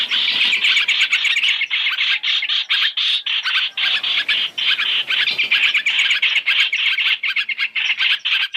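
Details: Chinese hwamei on a three-in-one lure track for bird trapping, giving a continuous harsh chatter of about four notes per second, loud and slightly irregular throughout.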